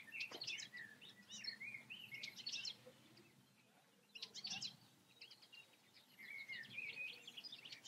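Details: Goldfinch song recorded in the Eifel: rapid liquid twitters and rolling buzzy trills in two bursts separated by a brief pause, bright and high, with soft low ambient hum beneath.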